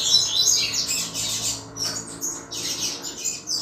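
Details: Chuva song of a double-collared seedeater used to stimulate rival males; quick, chattering high notes in repeated bursts, about three phrases separated by short breaks.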